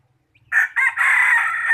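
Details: ['Decoy chicken for catching birds, admired for its voice, crows loudly: a short opening note, a second burst, then a long sustained harsh tone to the end, with a faint low hum beneath.']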